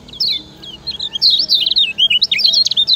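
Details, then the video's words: High, busy twittering from a Lemon-bellied white-eye (kecial kuning) of Lombok, a song used as a master for other birds, with notes rising and falling quickly in an unbroken chatter. "Ciak Ciak Ngejoss Kecial Kuning Ampuh Jadi Masteran"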